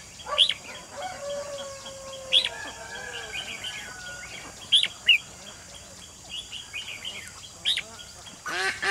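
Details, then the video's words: Red-whiskered bulbul used as a caged decoy to trap a wild white-cheeked bird on 28 June 2020; sharp high chirps and short whistled notes recur every couple of seconds among other distant bird calls and drawn-out tones. "Bẫy chào mào Mồi Cuối Hạ bắt bổi má trắng"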